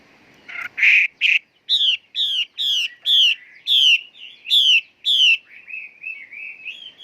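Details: Female Chinese hwamei singing: a clear run of loud, repeated downslurred whistled notes, each about half a second, at a steady pace, ending in softer warbled twitters.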